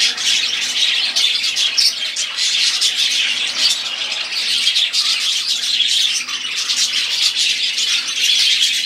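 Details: Group of budgerigars warbling together: unbroken, busy twittering of shrill chirps, clicks and squeaky trills, loud and uniform throughout.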